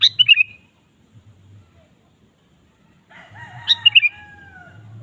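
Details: Vigorous sooty-headed bulbul song used to provoke kept bulbuls into singing: a quick bubbly whistled phrase at the start, a pause, then another phrase over fainter drawn-out whistles from other birds and soft low rumble.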